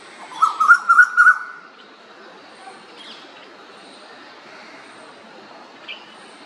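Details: Asian koel singing in the background at Pune, Maharashtra, India, in November 2023 while a common iora feeds on a caterpillar gives four clear, rising whistled notes, then silence; faint thin chirps from smaller birds follow.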